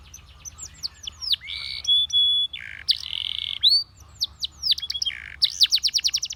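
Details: Spanish Timbrado canary singing as a training song: descending swoops, buzzy rolled phrases and flat whistled notes alternate, ending in a rapid run of repeated sharp notes.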